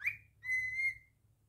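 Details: Pet cockatiel giving a quick upward slurred whistle followed by a clear steady held whistle of about half a second.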